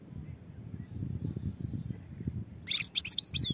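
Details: European goldfinch singing: a roughly one-second burst of high, tinkling, twittering notes with sharp whistled inflections comes near the end, after a stretch of low rumbling background noise.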